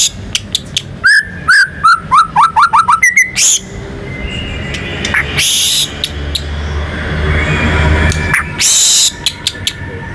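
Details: National champion white-rumped shama, lively and singing to provoke other birds: a rapid string of sharp, clicking, downslurred whistles for three seconds, then broad noisy rushes and scattered ticks.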